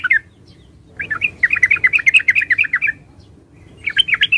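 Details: Yellow-vented bulbul, known in Java as trucukan after its distinctive voice, giving a brief bubbly note, then a longer run of fast, gurgling, chattering notes after a pause, and a short burst at the end.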